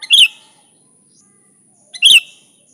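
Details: A sooty-headed bulbul (kutilang), singing loudly as a lure for bulbuls, gives two short, bright, slurred chirping bursts nearly two seconds apart. The background is otherwise quiet apart from a faint high hum.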